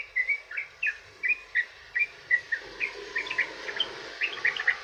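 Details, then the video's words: Rapid extended singing of a sooty-headed bulbul used to draw other bulbuls into song: a run of short, bright, bubbly notes, evenly paced, then quicker overlapping phrases near the end. "trucukan ROPEL PANJANG buat pancingan burung trucukan agar bunyi"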